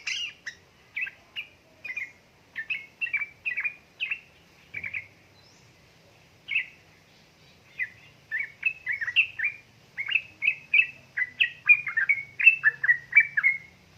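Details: Yellow-vented bulbul female calling to a male, used to coax lazy birds into song; long run of quick bubbly chirps, pausing briefly midway, then resuming faster and denser.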